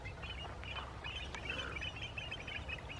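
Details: Several American avocets in open marsh at Black Point Wildlife Drive, Merritt Island National Wildlife Refuge, Titusville, Florida, 2021, give a rapid chorus of sharp, high, overlapping 'kleet' notes over a steady low rumble of wind or distant traffic.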